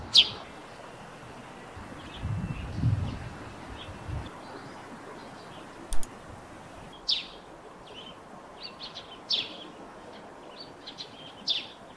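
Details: Eurasian tree sparrow near its nest on a roof, giving sparse short high chirps spaced a second or more apart over a low rumbling background and a faint click.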